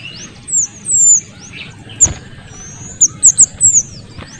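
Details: Small minivet, noisy, with male and female voices combined, used as a model for magpie-robins. Long, piercing, high whistles early on, then a tight series of five shrill, clipped notes, with quiet background noise.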